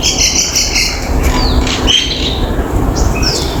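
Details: Balcony common myna producing high squeaky notes and chirps, a gliding whistled slur, then a sharp bright call and a few rising squeaks, all over continuous low-pitched background noise.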